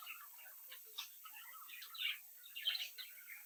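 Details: Budgerigar chicks from a home brood, captive, chirping quietly; soft scratchy warbling with a few brighter squeaks, at low volume.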